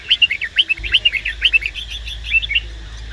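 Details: A female red-whiskered bulbul, singing to stimulate a male, gives a quick run of bright, chirpy whistled notes, about one per second, with a low steady hum underneath.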